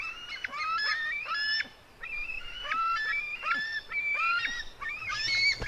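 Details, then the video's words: Two white-tailed eagle eaglets, sister and brother, in a fight; shrill, rasping squeal notes, some held and flat, some sliding, come in clusters with short pauses between bursts. "merikotkas female eaglet fight with her brother"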